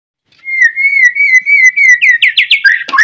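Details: White-rumped shama singing in the morning, a song used to stimulate other shamas to sing: a long steady whistled note, then a run of rising slurred whistles and a falling phrase at the end.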